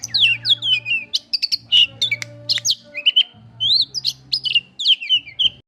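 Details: Oriental magpie-robin in a cage, worked up on spotting a rival, pours out loud varied whistles, slurred rising and falling notes and sharp clicks in fast stuttering phrases, with a faint low hum behind.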